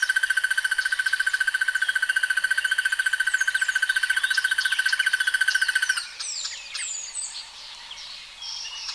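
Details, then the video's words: Crested barbet giving a long, fast, evenly pulsed rattling trill that runs without a break for about six seconds and then stops, leaving scattered high whistles and chirps from other birds. "The sounds of Crested barbets"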